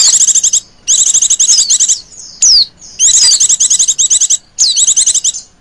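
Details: Female Oriental white-eye calling in the ngecir style, used to lure birds: loud, high, fast chattering trills in repeated bursts, mixed with sharp descending whistles.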